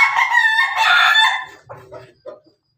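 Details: Pelung Bangkok rooster feeding alongside hens, giving a loud harmonic crow of about one and a half seconds with a wavering middle, followed by a few soft low clucks as it trails off.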